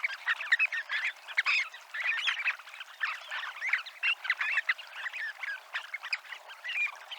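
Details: Flock of Dunlin by the seafront walk at Abruñeiras in Noia, Ría de Noia, giving a steady babble of overlapping clipped, scratchy and chirping calls with no pauses, many birds calling at once.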